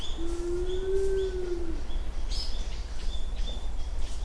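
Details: Japanese wood pigeon at Uwajima, Kaminoseki Town, early morning of 29 January 2024: one drawn-out low coo lasting over a second, swelling slightly then fading, while other small birds give thin chirps in the background.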